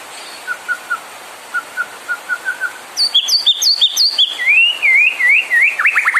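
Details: White-rumped shama song used to provoke other birds into singing: soft low whistled notes repeated, then loud sharp high descending notes, then a rolling warbled phrase with rapid downward flicks.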